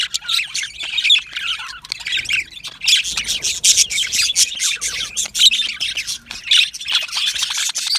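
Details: Budgerigars, yellow males kept as an aviary colony, trading scratchy squawks and high chirps, with a short lull early on before the lively chatter picks up again.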